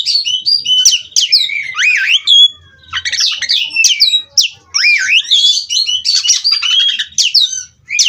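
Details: Oriental magpie-robin (kacer) of Cirebon stock, caged, singing ngerol continuously: sharp downslurred whistles, rising sweeps and scratchy trills in varied phrases separated by short gaps.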